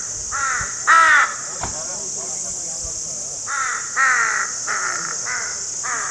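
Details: Crows cawing in harsh, nasal calls, a short burst near the start and a louder run of four or five caws toward the end, with gaps between, over a steady high-pitched hiss like insects.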